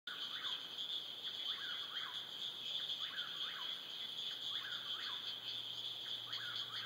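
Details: Whip-poor-will singing at dusk alongside frogs: a rhythmic whistled three-part phrase with a sharp upward sweep, repeated about every 1.5 seconds, roughly five times, over a dense, steady, high-pitched trilling chorus of frogs or insects.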